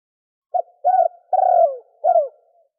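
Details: One thổ kim phrase from spotted doves, male and female, used as a lure for wild doves: a short pip, a rounded coo, a long sustained hollow note sliding downward, then a final falling coo.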